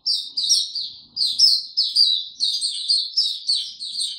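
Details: White-eye singing in warm, very humid weather, 26 March 2022: fast bursts of high, sweet twittering notes in short phrases about half a second long, separated by brief dips, against a quiet background.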